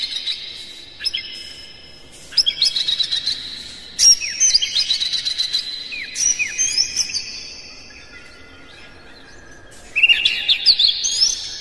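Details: Oriental magpie-robin (kacer) song meant to provoke other magpie-robins into singing loudly, spreading their tails and fighting, with dense hard phrases. Loud bursts of varied high whistles, slurs and chattering trills, separated by short quiet pauses near two and eight seconds.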